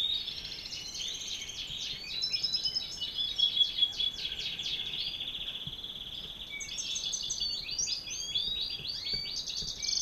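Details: A European goldfinch sings a fast, continuous, high twittering song of liquid chirps and short buzzy trills over faint hiss, as a male and female are being paired.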